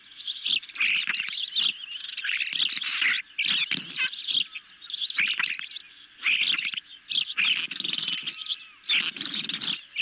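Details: Nest-camera ospreys eating a medium-sized fish in the evening, July 2021; runs of shrill chirps and slurred squeals alternate with brief pauses, mixed with heavy crackling and tearing noises.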